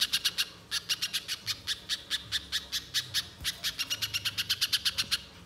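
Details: Banana spiderhunter chattering in quick bursts of sharp rasping notes separated by short gaps, the rhythm quickening near the end; a recording used to lure a bird into song.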